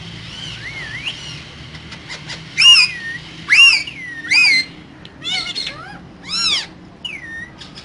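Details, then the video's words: Pair of caged green parrots giving a mix of wavering whistles and loud arched squawks, about one per second, with a soft hum behind. "Two Green Cute Parrots Talking In Cage So Cute"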